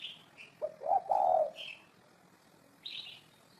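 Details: Spotted dove giving a short burst of low, hollow coos around the middle, with brief higher chirps from other small birds before and after.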